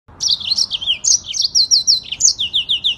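Yellow-fronted canary singing a fast, continuous high warble of rapid slurred notes and trills, rolling on without pause; a faint low hum sits underneath.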